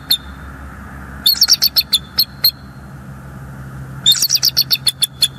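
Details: Bald eagle male waiting at his nest for his mate, Northeast Florida, 7 December 2022, live nest cam: two bursts of rapid, high, squeaky chattering notes, eight to ten per burst, separated by a short pause, with low hum behind.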